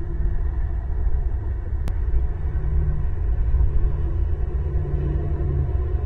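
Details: Strong low wind rumble throughout, with one sharp click near two seconds and no animal voice.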